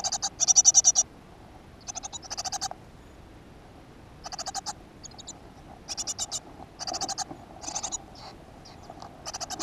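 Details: Nest box in a school garden, 7 June 2015: a great tit's brief rasping bursts of rapid high pulses, loud at first, then quieter and irregular with longer gaps.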